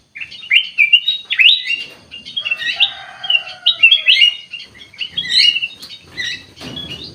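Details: Ruby-throated bulbul, kutilang emas, in full active song: a near-continuous stream of rich warbled and slurred whistles, fast and chattering, with a few lower drawn-out tonal notes underneath midway.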